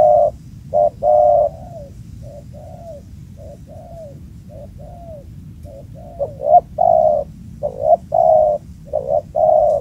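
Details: Male spotted dove occupying an old, long-unvisited spot, with a booming voice. Low, mellow coos come in short bursts and phrases, some with a soft rising-falling turn. They start strong, soften midway, then grow loud again.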